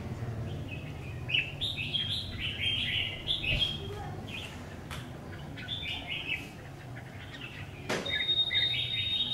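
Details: Red-whiskered bulbul, a freshly acquired decoy bird under test, delivers repeated clusters of bright, bubbly warbled notes, several phrases in quick succession, with a sharp click near the end and constant low background rumble.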